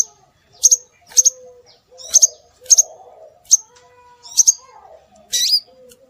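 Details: Scarlet minivet lure recording to draw birds in: sharp, high double whistles spaced about half a second to a second apart, then a short buzzier note at the end.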